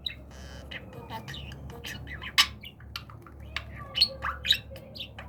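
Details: Talking budgerigar in training, producing scratchy squawks mixed with quick chirps and warbled syllables in an uneven stream, a few louder bursts standing out.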